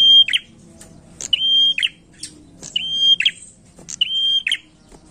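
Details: Prinia singing energetically as a lure: four phrases, each a long, steady, piercing whistle that breaks into short descending chips, with brief gaps between them.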